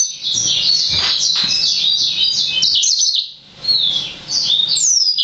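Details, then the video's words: Young hybrid, yellow-fronted canary crossed with black-throated canary, six months old and still developing its song: dense, rapid high warbled phrases, a brief pause, then more twittering ending in a sweeping whistle. "Yellow-fronted canary (Green singer) X Black-throated Canary"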